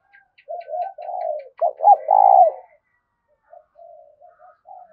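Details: Spotted dove song used to lure wild doves into fighting a decoy bird: soft low coos, then a loud burst of two arched notes and a long drawn coo, followed by quieter scattered coos.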